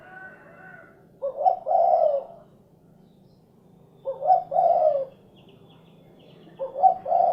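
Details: Spotted dove, local name derkuku, uttering three low two-part coo phrases about three seconds apart, each a short note leading into a longer, fuller rolling coo, against faint background murmur.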